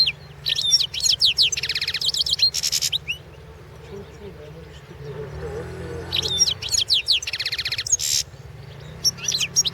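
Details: European goldfinch recorded for the 2016 World Championship in Goldfinch Song: two long runs of fast, high, liquid twittering with buzzy trills, split by a quieter middle stretch where faint voices murmur in the background.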